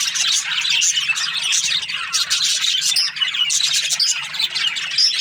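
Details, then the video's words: Several budgies chirp together in the morning, a busy tangle of sharp high chirps and rasping chatter with a few thin whistled notes near the end, backed by a faint hum. "Amazing budgies chirping sounds in the morning"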